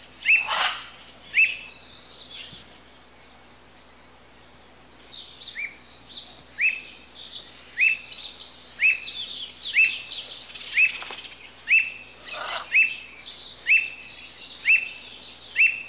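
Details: Squirrel cuckoo giving a long series of short rising whistled notes, each with a crisp click, about one per second after a quieter pause, against busy high twittering of other birds.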